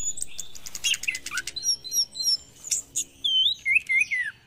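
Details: Lure song of an Orange-headed thrush at morning, meant to make reluctant caged birds sing: quick chattered notes give way to a string of separate sweet, looping whistles falling in pitch.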